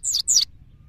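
Two quick, bright twittering notes from a goldfinch, each sliding down from very high, with a soft low hum behind.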